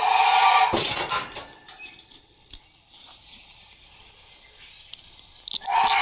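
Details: A pet monk parakeet gives harsh, grating screeches with soft clicks and rustles between.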